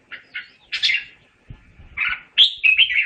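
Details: Red-whiskered bulbul calling its flock: scattered soft chirps and a buzzy note, a light rustle, then a loud bright whistled phrase that slurs downward.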